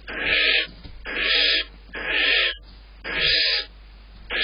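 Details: Barn owl in a nest box at dawn in April during a male's rapid prey deliveries, the female guarding the food: long rasping hissing screeches, about one a second, four in a row with soft shuffling between.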